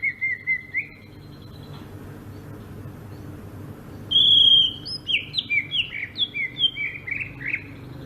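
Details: Greater green leafbird from Sumatra in rolling 'ngerol' song: a few clear whistled notes, a pause, then a sharp high whistle that breaks into a fast run of looping, bouncing notes.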